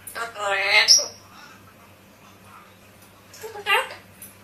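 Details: Parrot mimicking human speech: two short, high, voice-like phrases separated by a pause, the first longer and strongly tonal, in a quiet room.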